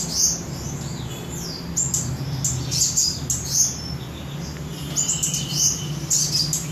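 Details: Samarinda mountain leafbird giving a varied series of high downslurred whistles and chirps, some phrases spaced by brief pauses, with a persistent low hum underneath.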